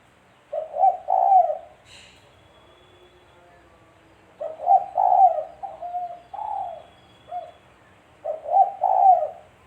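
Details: Spotted dove cooing for use as a trapping lure; low hoarse phrases of a stuttered start and a long coo, with extra short coos between, and a faint brief higher sound near the start.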